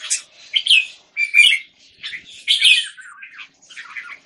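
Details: Displaying red-whiskered bulbul (jambul), the left of the caged birds, Singapore, 09-04-2019: short chirped and whistled bursts about once a second, some sharp and high, others lower and slurred, with no other sounds.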